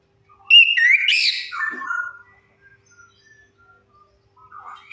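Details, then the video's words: Orange-headed thrush singing as a lure for silent birds: one loud, rich warbled phrase of bright whistles that slides downward over about a second and a half, followed by faint scattered notes. "Suara pancingan AMPUH 100% untuk Anis Kembang Macet Bunyi"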